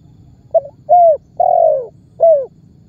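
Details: Single calling phrase of a spotted dove, a lure call used to set off other birds and attract them to trappers. A short broken note, a clear falling coo, a long hoarse coo, then a final short coo.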